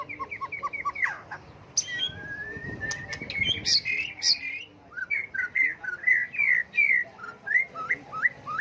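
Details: Many-voiced white-rumped shama song that constantly shifts, used to provoke birds into singing contests: rapid repeated notes, a long rising whistle, then a steady sequence of bright, hooked whistled phrases about twice per second.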